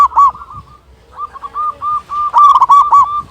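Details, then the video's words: Big-voiced local zebra dove, a lure to raise mood and provoke calling: a loud hooked coo, a pause, then a steady chain of rolling coos ending in a rapid, louder burst. "Perkutut Lokal Gacor Suara Besar Masteran Pancingan Burung Perkutut Agar Bunyi"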